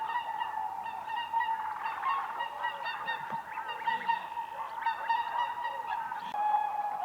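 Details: Whooper swans (Cygnus cygnus) dancing on ice on a lake in spring. Many birds give loud, nasal trumpeting honks that overlap almost without pause into a steady flock chorus. Bursts of several calls together stand out over the constant calling.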